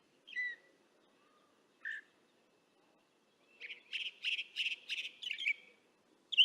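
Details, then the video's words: Northern mockingbirds calling in the distance, recorded with a parabolic microphone: a few isolated sharp chirps, then a rapid run of about six repeated buzzy notes, followed by a bright closing note, over a faint low rumble. "Northern Mockingbirds chirping in the distance"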